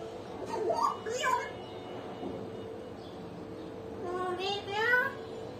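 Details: A pet hill myna talks, laughs and sometimes cries: two short word-like bursts, a pause, then a longer rising harmonic phrase, all with a low hum in the background.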